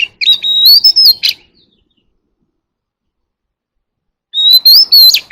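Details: Oriental magpie-robin calling the flock with wild-style song. A fast phrase of clear whistles ends on a rising note, is followed by a long pause, then repeats.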